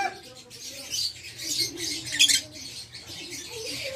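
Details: Fischer's lovebird, violet parblue mutation, kept caged, uttering a few sharp high squeaky chirps and short scratchy bursts, loudest near the middle, with soft background voices.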